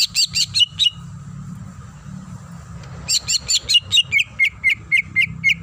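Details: Female greater green leafbird in breeding condition calling the male: a few high chirped notes, a two-second pause, then a long even series of about twelve repeated whistled chirps, with a low hum behind.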